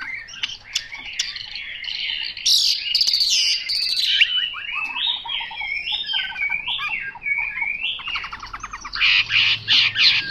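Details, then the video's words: Chinese hwamei singing a rich, varied song of loud slurred whistles and rapid warbled phrases. The phrases rise and fall, with short trills and buzzy notes packed closely together. There are no other clear sounds. "Họa mi mộc dở"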